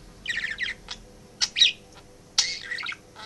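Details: Male pet budgerigar at home in the office with its working owner; three short bursts of scratchy, buzzy warbling with quiet gaps between.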